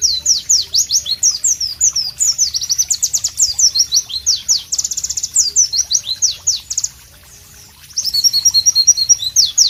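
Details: A white-eye (pleci), recorded in natural tropical ambience, sings a loud, fast, high, unbroken twitter of sharp sliding notes, pausing briefly near the end before resuming with quick trills.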